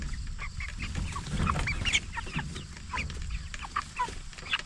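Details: Flock of 44-day-old jumbo Cornish Cross broiler chickens raised for meat: many short, high chirps and peeps overlapping, some rising or falling, scattered every fraction of a second over a steady low rumble.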